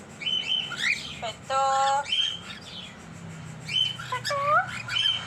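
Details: A pair of pet cockatiels calls repeatedly with loud, clear upslurred whistles and short chirps. Midway comes a steady, flat, tonal note with stacked overtones lasting about half a second, and there is a low hum underneath.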